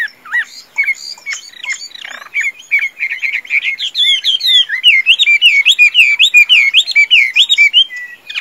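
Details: Vietnamese caged Chinese hwamei, tame and praised as a strong singer and fighter, opens with scattered sharp notes, then builds into a loud fast series of swooping, zigzag whistled notes repeated steadily.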